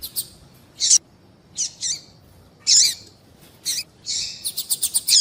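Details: Female double-collared seedeater call used to stimulate male song: scattered bright chirps, some doubled, ending in a fast accelerating series of short high ticks.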